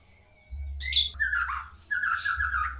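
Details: White-rumped shama of the Medan variety in full song: a short harsh high burst, then two longer buzzy, scratchy phrases, each about a second long, over a steady low hum.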